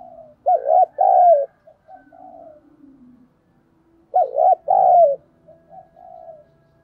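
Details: ['Spotted dove acting as a decoy to stir wild doves into cooing: two bouts of a low, wavering coo followed by a drawn-out falling note, each trailed by quieter soft coos.']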